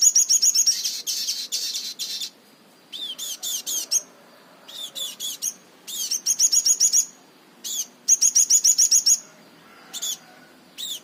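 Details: Crimson sunbird (sogon) giving an unusual 'tembakan' style song: very high, rapid bursts of sharp ticking notes and thin buzzy trills, each run lasting about a second, separated by brief silent pauses, with no other sounds.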